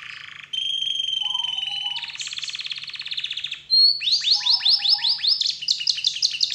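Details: Canary song used as a lure to get other canaries singing: clear steady whistled notes, then a buzzy rolling trill, then fast repeated swooping notes rising and falling several times a second, with a faint low hum underneath.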